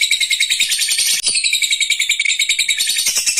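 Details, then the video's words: Lovebird in extended ngekek chattering: dense, high-pitched, raspy notes run together rapidly and without stopping, with one tiny break just past the first second before the stream resumes. "Love bird ngekek panjang"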